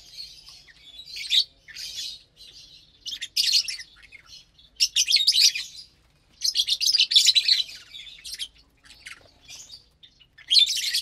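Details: Group of lovebirds having morning food together on April 30th, 2022, vegetables and seeds served: repeated clusters of piercing, high chirps and squeaky chatter, rising and falling in loudness with short pauses.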